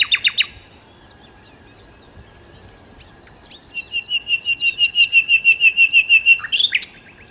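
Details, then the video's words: Nightingale (sikatan londo) gives a brief chirped burst, then after a pause a long series of about fifteen pure whistled notes that swell steadily louder, ending in a sharp rising flourish. "kicau Sikata Londo( Nightingale Birds )"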